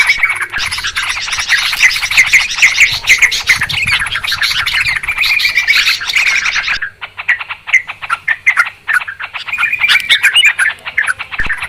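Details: Clear, noisy calling of Yellow-vented Bulbuls, used to lure birds down for trapping: a thick chorus of rapid chirps and squeaky notes for about seven seconds, then sparser, separate chirp bursts.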